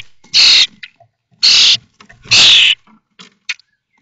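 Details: Nest of common starlings in Théding, 19 May 2024, as the 21-day-old brood of five leaves the nest: three loud, rasping, noisy shrieks about one second apart, with faint clicks and soft scratchy notes between.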